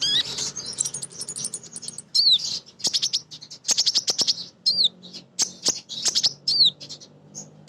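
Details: Van Hasselt's sunbird female, kolibri ninja, singing energetically as a lure for other birds. Shrill chirps in quick bursts, thin descending slurred whistles and a brief tinkling trill near the start.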